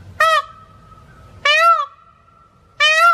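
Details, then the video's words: Loud, harmonic, trumpet-like peacock calls repeated roughly every one and a half seconds, three short blasts with a steady faint tone lingering between them. "peacock original sounds so funny"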